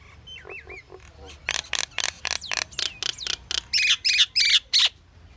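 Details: Pied myna producing a varied series of calls: a few low whistled curls, then a rapid run of harsh broadband notes about three per second, ending in louder squawks with bright whistled overtones.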